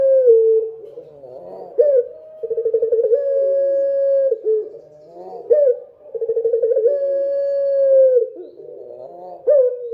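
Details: After dark a dove repeats its song. Each phrase is a vibrating, pulsed beginning that smooths into a long, constant low coo ending with a downward slur, about every four seconds.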